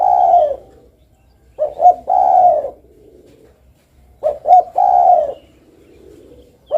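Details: Spotted dove cooing: a long falling coo, then a phrase of two clipped notes followed by an extended mellow coo, given three times, with a low hum underneath.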